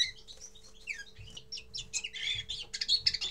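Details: Common linnet giving its first song: a rapid twittering run of varied chirps and short trills, growing louder and denser toward the end, over a faint steady hum.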